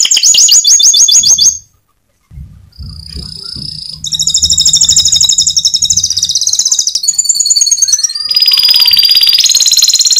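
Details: Canary in the Indonesian 'mecut' singing style, a song said to prompt other canaries to answer. It gives fast, high, sharply repeated trills in several shifting phrases, with a short pause and a low rumbling background noise.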